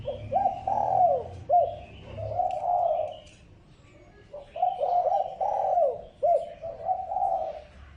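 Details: Lure cooing of a spotted dove, meant to excite decoy birds. Soft, throaty coo phrases come in two clusters separated by a quiet gap, with brief clipped notes between the longer coos. Weak distant chirping is also heard.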